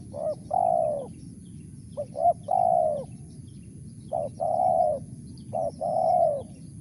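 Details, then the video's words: Spotted dove with a crisp mersik voice, delivering four paired phrases of a clipped note and a longer, mellow coo, spaced one to two seconds apart. "BL suara Mersik"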